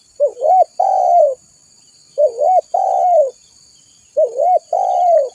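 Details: Spotted dove (tekukur) calling vigorously, for luring and training: soft hollow cooing phrases repeated about every two seconds, each a quick double-looped note followed by one long downward-sliding coo, over a quiet steady high hiss.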